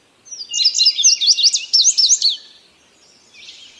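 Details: Loud indigo bunting phrase of about two seconds: quick high chirped notes, often doubled, tumbling in a lively string before a short faint buzzy tail.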